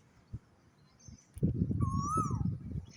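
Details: On a calm morning an Asian koel, hidden in a tree's bushy foliage and heard from a rooftop, sings one clear whistled note that swoops upward, then eases down. Heavy low rumbling and thumping noise sounds underneath.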